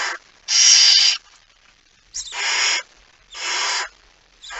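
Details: Barn owl, male with a mouse, at 23:55 on 17 September 2019; loud drawn-out rasping hisses of under a second, repeated about every second, in an otherwise quiet night.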